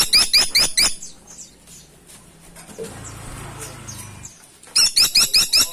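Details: Caladi tikotok woodpecker calling busily; fast strings of sharp, buzzy high notes, each dipping then rising, repeated about every quarter second at the start and again at the end, with a quieter gap of faint chirps between.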